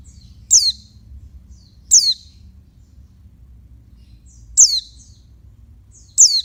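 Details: Female oriental white-eye calling to stir males: four thin, high notes each sweeping sharply down, given in two pairs, with faint low-frequency noise underneath.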